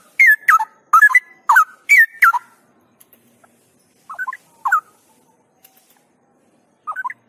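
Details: A male straw-headed bulbul, being trained outdoors, pours out a loud, rich, gurgling burst of five warbled phrases, then quieter bubbling notes after a pause.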